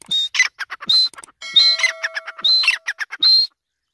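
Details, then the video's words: Grey francolin calling: loud harsh repeated phrases of a steady high note followed by rapid scratchy clicks and squeals, cycling roughly every second over about three and a half seconds, with a faint steady lower tone partway through. "Teetar ki Awaz |irani Teetar ki voice |Teetar sound"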